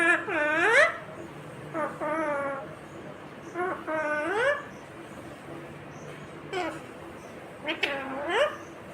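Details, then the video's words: A talking Indian Ringneck (rose-ringed parakeet) gives five short bursts of nasal, speech-like syllables that swoop down and up in pitch, about two seconds apart, in a quiet room. "Natural Sound of Talking Ringneck green parrot"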